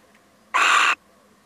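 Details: A male little owl gives one loud, harsh, slightly wheezy call lasting under half a second, possibly startled; otherwise only a faint background hum.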